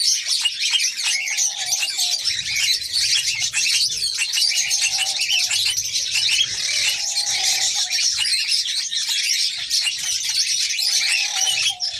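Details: Red-crowned parakeet female, ready to mate, keeping up a long, dense run of shrill, buzzy chatter, with soft lower drawn-out tones recurring faintly behind it every few seconds.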